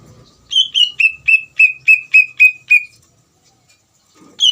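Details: Greater green leafbird singing a provoking bait song for another leafbird to answer: a quick run of nine clear whistles, the first two higher, the rest steady and slightly descending.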